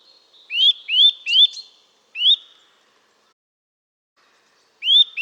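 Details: Eurasian nuthatch singing: clear rising whistled notes, upswept and sharp, given in a quick run of three, then single notes after pauses; no other sounds.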